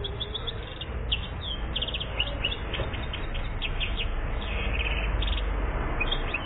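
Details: A one-year-old European goldfinch from Algeria, recorded in 2014, sings a fast, twittering run of short, bright chirps over a steady low rumble of background noise.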